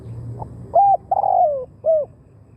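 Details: Spotted dove calling to lure wild doves: a faint pip, then a clear coo, a long gliding falling coo and a short curved closing note, over low-pitched background rumble.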